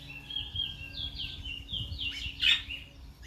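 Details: Chestnut-bellied seed finch, known in Guyana as the brown towa towa: a short run of sweet, warbled whistles sliding up and down, ending in a louder burst of twittering notes over a faint low hum.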